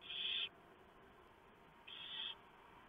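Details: Barn owl nest before dawn, 3 November 2015, the male bringing a large mouse while owlets are fed; two loud, breathy rasping hisses about 1.5 seconds apart over a low constant hum.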